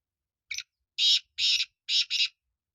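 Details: Black francolin calling: a short harsh note followed by four loud grating, buzzy syllables, the last two run closely together, over an otherwise silent background.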